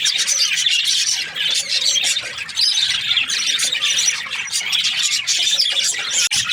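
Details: Budgies in breeding pairs chirp and squawk over one another, producing busy, buzzy chatter with sharp squawks standing out and a short drop in volume near the end.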